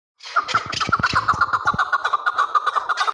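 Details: Chukar partridge from Kabodiyon, Tajikistan, giving a rapid run of hoarse clucking chuk notes, about four per second, in a steady rhythmic series that continues to the end.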